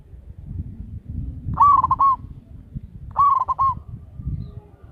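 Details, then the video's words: Local zebra dove used as a lure, loud-voiced. Two cooing phrases, each a rising note followed by a quick stuttering run of mellow pulses, over a low rumbling background. "Perkutut lokal gacor suara besar - BIANG PEMIKAT"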